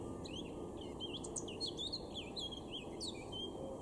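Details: Male blackcap, garden bird of Weener in East Frisia, April 2022, pouring out a continuous chattering warble of swooping notes that ends in a clearer drawn-out whistle, with a steady low hum behind.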